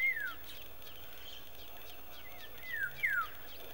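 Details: African golden oriole (Oriolus auratus) at Nalerigu, Northern Region, Ghana, on 16 May 2018, gives three slurred, downward-sliding whistled notes, one at the start and two close together near the end, over faint higher chirps and steady hiss.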